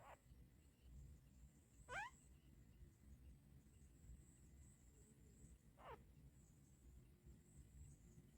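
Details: Baby mynas, one lying on its sibling while eating food, give three brief, sharp squeaky calls, one with a quick stepped sweep, over a low rumbling background hum.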